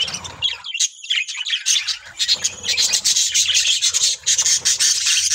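Budgerigars chatter in quick, scratchy warbles and chirps, a constant busy twittering.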